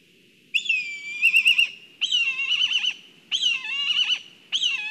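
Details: Black kite at its nest in Kurzeme, Latvia, during a food delivery: four loud tremulous whinnying calls, each a high quavering whistle sliding down with a shaky trill, spaced roughly a second apart.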